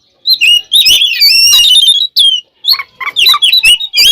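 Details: Oriental magpie-robin delivering a provocative fighting song: a long, dense run of scratchy, warbling notes and rising whistles, followed by shorter choppy phrases repeated roughly twice a second.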